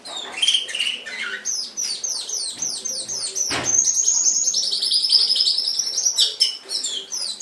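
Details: Canary singing on a tutor recording for pet birds: rapid series of descending high whistled slurs, then a long, even, very high rolling trill, broken by a brief sharp note midway.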